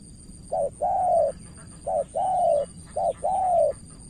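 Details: Decoy spotted dove in Cà Mau, Vietnam, cooing at an experienced opposing dove. Three two-part phrases are heard: a clipped note followed by a drawn-out, slightly falling coo, with a faint high electronic-like whine behind.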